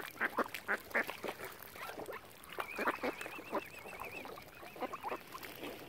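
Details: Lakeside ducks on Lough Neagh, Oxford Island, Ireland, surrounding a swan family, give a burst of short, clipped quacks, then a looser series of nasal calls as a long wavering whistle runs across the middle.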